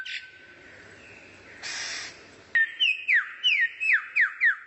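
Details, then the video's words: Training song for a kacer (White-rumped shama) from a rare-bird tutor recording: a long flat whistle, a burst of hiss, then a run of loud descending whistled slurs repeated about every half second. "MASTERAN BURUNG LANGKA YANG BISA JADI SENJATA PAMUNGKAS BURUNG KACER"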